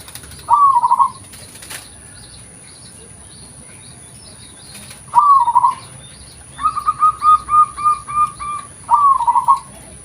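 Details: Local zebra dove, offered as a lure call, gives a short burbling trill, a second after a long gap, then a string of about six quick staccato notes ending in a warbled trill; faint clicks and a steady high tone are also heard.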